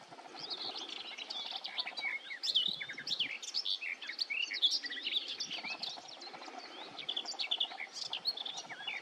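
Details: A garden warbler sings loudly by the water north of Tiengemeten, Netherlands (Vuile Gat), on a May 23 morning. Its long, rich warbling flows without pause in quick mellow phrases, tangled with other birds in a busy morning chorus.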